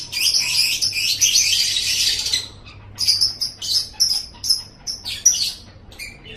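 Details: A lovebird sings a continuous burst of shrill, buzzy chatter for over two seconds, then shifts to spaced, sharp high chirps and squeaks, from a recording meant to tutor caged lovebirds.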